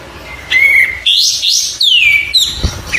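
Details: Song of an Oriental white-eye from a training tutor recording: a level whistled note, then loud chattering phrases and a long sweeping down-slurred whistle, ending in a short click.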